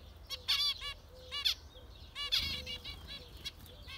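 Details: Zebra finches giving short, nasal, harmonically rich calls in quick irregular bursts, several overlapping notes packed around the half-second and two-and-a-half-second marks, with a faint low hum underneath.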